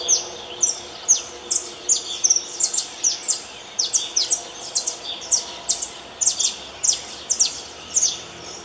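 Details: Saffron finch (Canário da Terra) singing outdoors: a run of high, sharp, descending chirps repeated two to three per second, over a steady wash of background noise.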